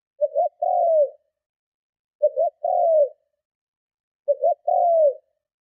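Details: Spotted dove calling forcefully to lure and provoke other doves, three phrases about two seconds apart, each a brief broken double note then a sustained falling coo, against silence.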